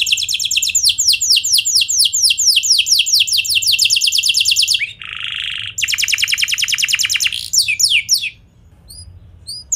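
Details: Canary song played to lure other canaries into answering and singing: fast runs of high, sharply descending chirps, a harsh buzzy burst midway, then more rapid trills and a few thin, spaced notes at the end.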